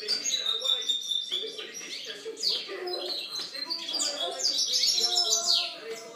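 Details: European goldfinch singing, recorded in 2013: a fast, jumbled twittering of high chirps and trills, with a low murmur running beneath.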